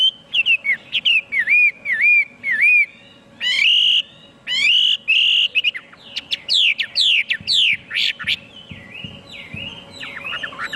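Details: Loud, varied song of a Chinese hwamei: bouncing repeated whistles, then long ringing held notes, then a burst of rapid steep downward-sweeping whistles, ending in softer warbled, slurred phrases over a faint background hum.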